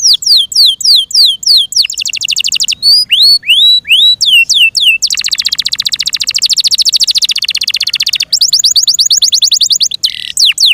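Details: Kept Yorkshire canaries singing loudly: rapid series of high, sweeping whistled notes repeated several times a second, shifting into fast buzzy trills and rolling chatter, with brief pauses between phrases and no other sounds.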